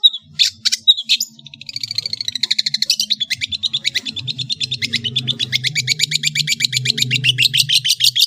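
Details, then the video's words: Long-tailed shrike from Madura, a master song recording full of varied phrases: rapid high chattering notes repeated in quick series, rising to a dense fast trill toward the end. "SUARA burung CENDET GACOR master full variasi | ASLI cendet MADURA GACOR DOR"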